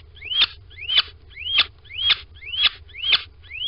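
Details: Little owl at a nest box in Sprundel on a February 2020 morning, peeping and calling as the pair go inside. It gives clear, high, rising whistled calls, seven in under four seconds, each ending sharply, over faint low hum.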